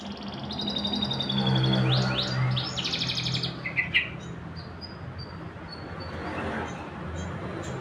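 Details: Blackred canary singing again in the rainy season: high sharp rising sweeps and a fast bright trill, then softer scattered whistled notes, over a steady low hum.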